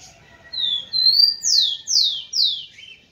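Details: Male rufous-collared sparrow singing to prompt females: two drawn-out high whistles climbing slightly, then three forceful downward-sweeping notes at a steady pace, ending on a brief lower trill-like note.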